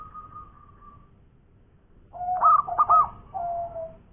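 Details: Local zebra dove in ngowor koar-koar song: a thin level whistle fades, then after a pause a lower coo rises into bright hooked notes and ends with a softer falling trill.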